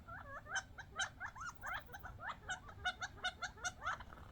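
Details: Wild quail, young birds a few months old, gathered from the desert at bird seed and squabbling over it; dense chattering of short rising and falling chirps and squeaky notes, many birds calling over each other in quick succession.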